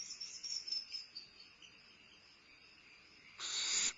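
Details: Barn owl owlet at Starr Ranch, limping and eating a midnight meal on 2011-05-22, gives one harsh, hissing screech lasting about half a second near the end, over a steady high-pitched whine and faint chirps.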